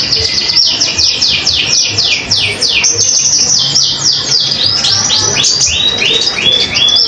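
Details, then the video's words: Common iora in full song, recorded as a tutor song for other songbirds: a rapid run of high, steeply falling whistled sweeps, about three a second, with a faint low hum beneath. "Konin Gacor Untuk masteran burung kicau yang lain"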